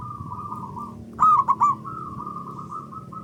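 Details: Zebra dove, local variety, singing loudly to stimulate other doves: a single bubbling three-note coo phrase stands out over a steady chorus of fainter, drawn-out coos.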